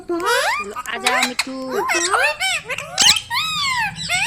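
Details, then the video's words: Pet ringneck parrot talking indoors: quick run of chattering, speech-like syllables with sliding, rising and falling tones and a few sharp squeaky notes, steady and close. "Talking Parrot video|Ringneck parrot video|Parrot sound video|Parrot voice video"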